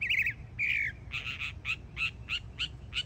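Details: Young mockingbird in Florida giving harsh buzzy notes: two drawn-out rasps, then a series of short squawky chips about every quarter second, over low background noise.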